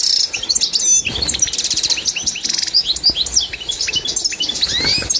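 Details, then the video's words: European goldfinch of the authentic Constantine type, a training recording for birds to learn from, dated 2024: fast, bright twittering and tinkling notes with quick rising whistles and buzzy trills, delivered in a continuous high-pitched stream. "تتعلم مع الحسون القسنطيني الاصيل"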